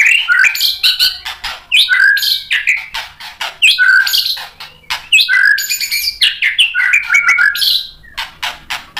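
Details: White-rumped shama song played to provoke a response: repeated bursts of sharp, chattering and slurred whistled notes, each burst about a second long with short gaps, busy and scratchy.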